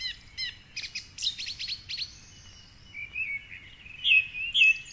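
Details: Dawn chorus at 4.45am along the Curragheen River, Cork City, with a male song thrush singing from a tall tree; a burst of fast trilled notes, softer warbling, then a short phrase given twice.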